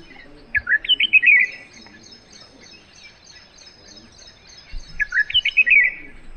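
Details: A fledgling red-whiskered bulbul, adult-sized but still in juvenile plumage, gives two bright, bubbly phrases of quick rising and falling notes about four seconds apart. The bird was recorded from a terrace on May 3, 2020, in Sector 15A, Noida, India.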